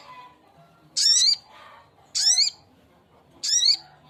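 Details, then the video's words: A male sogok ontong, or spiderhunter, calls a female with three strident, buzzy notes carrying rising overtone bands, spaced about one and a quarter seconds apart, against a quiet backdrop. "Suara burung sogok ontong jantan memanggil betina"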